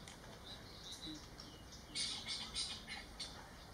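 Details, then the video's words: Screeching call of spotted owlets recorded in Ahmedabad, Gujarat: after two quiet seconds with faint high notes, a run of about five harsh, hissing screeches follows in quick succession, each short and rasping, against steady low background noise. "Screeching Call (Spotted Owlets)"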